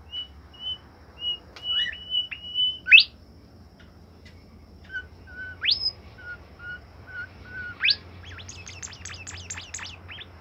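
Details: Bimoli bird in its cage, singing energetically: spaced high whistles, sharp rising sweeps, a run of lower level notes, and at the end a rapid chattering burst of fast up-and-down chirps.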